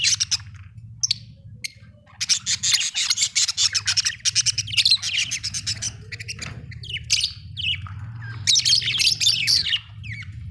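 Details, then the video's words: Budgie chattering continuously with fast, buzzy high chirps and squeaks in long bursts, accompanied by a steady low humming background. "budgie chirping sound"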